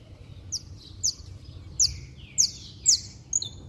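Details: Saffron finch; song; stirring up other saffron finches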